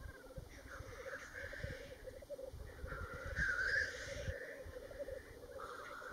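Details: At Worlds End on Ruabon Moor, North Wales, 25 March 2018, black grouse keep up a low bubbling chorus broken by harsh, breathy hissing calls that rise and fall, with wind rumble underneath.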